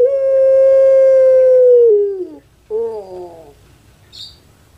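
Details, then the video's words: Captive puter pelung dove, a kept bird famous in Java, Indonesia, giving its anggungan: a long, steady, pure mid-pitched note held almost two seconds that slides down and breaks, then a short rolling, wavering coo, and a faint click at the end. "KONSER ANGGUNGAN PUTER PELUNG"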